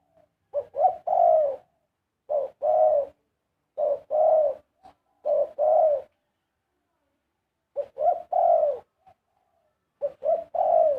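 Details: Karam-style song of a big dove: a string of six low, mellow phrases, each made of quick short coos leading into a held coo, with brief pauses between.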